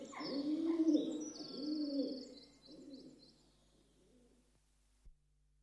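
A rock dove gives low, throaty coos in rolling, pulsing phrases that fade out, with faint higher chirps from other birds in the background.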